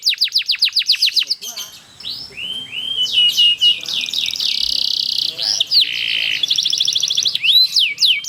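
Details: Canary singing a long rolling song used to prompt other canaries to sing: fast falling whistle notes at first, then a drawn-out buzzy roll with rising sweeps and ringing chirps near the end.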